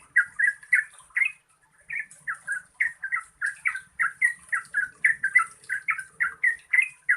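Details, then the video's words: Yellow-vented bulbul singing a long 'gacor ropel panjang' lure song aimed at birds that sing little: a brief opening burst, a short pause, then quick runs of gurgling, chattering notes. "Pancingan Trucukan Gacor Ropel Panjang COCOK untuk BURUNG TRUCUK MALAS BUNYI"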